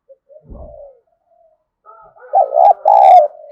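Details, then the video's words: Spotted dove decoy cooing to lure others: faint low murmurs and a brief knock at first, then a loud two-part coo, a throaty note and a longer steady one, ending in a fading low tail. "Tiếng Chim Cu Gáy Kích Bổi Nhanh nổi Hiệu Quả #5 || Chim Cu Gáy Mồi"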